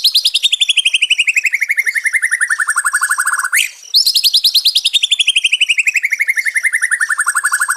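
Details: White-rumped shama singing, for restoring a stressed bird's fighting spirit: two long rapid rattling trills, each sliding steadily down in pitch over several seconds, separated by a brief sharp upward sweep.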